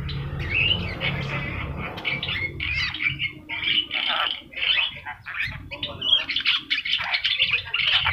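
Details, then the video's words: Yellow-eyed Javan myna in vigorous song, a training recording for other birds; a dense, almost continuous stream of harsh, rasping and squeaky chatter with varied notes. "jalak kebo mata kuning gacor"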